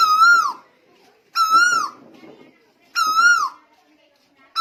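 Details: Tuwu bird from Lombok recorded in 2021, singing actively: strong whistled notes that rise slightly then slide down, repeated about every one and a half seconds, with faint background murmurs.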